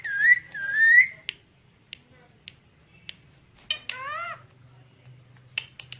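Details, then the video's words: Talking parrot whistles two wavy, rising phrases, then faint clicks, a downward-curving harmonic call, and a few sharp ticks against quiet background hum. "TALKING PARROT (BEAUTIFUL VOICE)"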